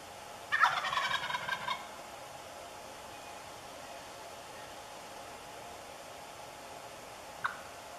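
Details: A very vocal jake wild turkey on a spring-style morning hunt in New Brunswick, Canada, lets out a loud rattling gobble lasting over a second, rapid bubbling notes, then one brief sharp note later over steady hiss.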